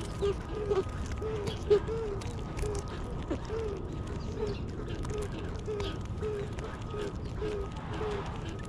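Mourning doves give a steady run of soft, low, hollow coos, several per second, over a faint constant hum and background noise.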